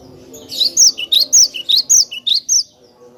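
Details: Lively, clear song of a cinereous tit, meant for training other songbirds: sharp, high whistled couplets repeat briskly, a bright slurred note alternating with a lower clipped one, roughly ten notes in two seconds with no other sounds.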